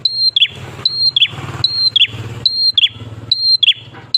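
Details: Lure song of a prenjak klawu prinia, singing persistently to coax other prinias to call: high steady whistle then a downward-sliding chirp burst, repeated five times, with a prominent low engine-like rumble underneath.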